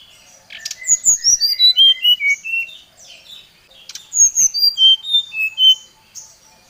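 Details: Oriental magpie-robin singing to provoke a rival: two long runs of bright whistled notes tumbling downward in steps, each run about two seconds, with a pause between.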